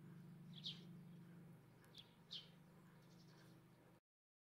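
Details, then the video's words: Tree sparrows in a garden in July 2022: two or three short, bright chirps spaced over a few seconds, over a steady low hum. "Tree Sparrows"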